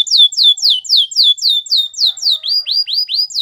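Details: Canary repeating clear whistled notes that slide downward, roughly four each second, then switching to shorter upturned hooked notes at slightly lower pitch.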